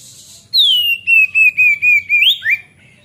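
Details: A singing Oriental magpie-robin, used as a lure for training young birds, gives one long sliding whistle that falls and then flattens. The whistle is pulsed into quick beats and ends in an upward flick and a short drop.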